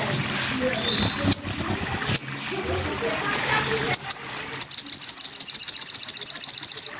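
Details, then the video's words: Sogon bird, recorded as a tutor track for training cage birds: scattered high whistled notes over a soft watery hiss, then a fast, even trill of high, sharp, repeated notes lasting over two seconds. "masteran burung sogon"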